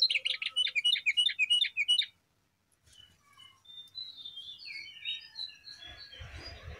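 A Brown Prinia gives a loud, rapid burst of sharp, high chipping notes for two seconds, then quieter scattered whistles, ending in low rumbling thumps.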